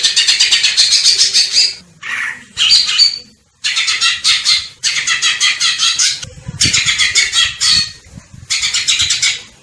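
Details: Greater green leafbird giving harsh, squawky, high-pitched bursts of rapid notes, each burst lasting one to two seconds and separated by short gaps, with faint low background noise.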